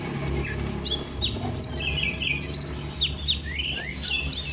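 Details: Brown-throated sunbird (konin) training recording, played to newly bought birds to prompt singing: thin, high chirps and short down-slurred and up-slurred whistles in quick irregular bursts, over a steady low hum.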